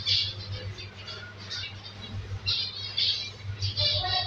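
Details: Zebra finch nestlings, five raised by an undersized captive pair, give buzzy, wheezing high begging calls in quick clustered bursts. A steady low mains hum sounds in the background.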